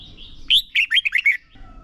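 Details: Contest-trained red-whiskered bulbul used as a decoy singer delivers a short burst of loud, clear whistled notes, five quick slurred syllables tumbling up and down, preceded by a faint thin note, over low background noise.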